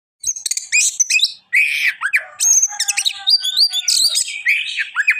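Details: Oriental magpie-robin singing in the gacor style: dense, rapid phrases of bright whistles, chirps and sharp rasping notes, including rising and falling whistled slurs, delivered almost without pause after a brief opening silence.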